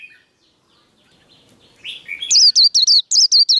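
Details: White-eye 'líu đấu' fighting song for firing up caged birds. After a quiet start and a soft rising note, a quick burst of high, downslurred whistles repeats about three times a second.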